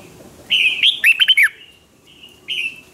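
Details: Provoking contest song from a red-whiskered bulbul aimed at newly caught birds; a bright whistled lead-in slides into a fast run of four or five warbled notes, then a lone whistled note after a pause.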